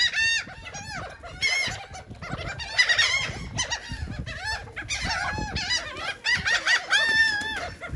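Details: Seagulls on cake in Atlantic City, New Jersey: loud, clear mewing cries with drawn-out, bending notes, several birds calling over one another.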